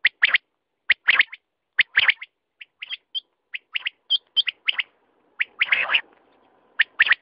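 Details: Quail giving sharp double and triple notes, some higher and ringing, with a brief rustling noise burst toward the end.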